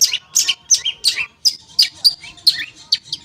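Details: Song of a long-tailed shrike played to coax non-singing shrikes into song: quick descending whistled slurs and sharp chips repeated roughly every third of a second.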